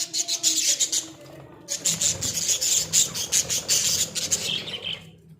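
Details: Australian budgies in a small cage keep up rapid, regularly pulsed high chirps and squeaky chatter, several notes per second, with one short pause near the start.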